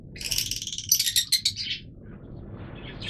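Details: Yellow Fischer's lovebirds, the oldest colour mutation of the species, give a quick series of high, harsh chirps over about a second, followed by quieter scattered twitters against a low background hum.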